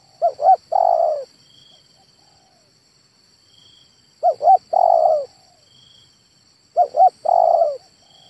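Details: Male spotted dove giving three spaced phrases, each two brief coos then a longer vibrating coo, separated by several seconds of near silence and a faint high whine.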